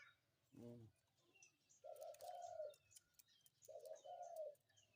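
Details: Spotted dove cooing in the morning, two mellow phrases of a quick note followed by a longer coo, preceded by a short harsh buzzy sound and accompanied by a low background hum and scattered faint clicks.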